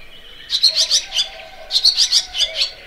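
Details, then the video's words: Barn swallow giving two bursts of rapid, high-pitched twittering chirps separated by a short gap, each burst of five or six bright notes, over a quiet background. "Layang2 Asia"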